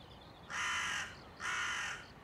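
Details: Crow recorded on 30 September 2020 giving two harsh, drawn-out caws, each lasting about half a second, separated by a short pause, over quiet background.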